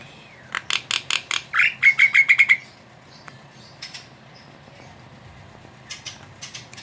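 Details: Javan myna bursts: a rising whistle, several harsh broadband notes and a quick chattering run, then quiet with a few distant scratchy notes.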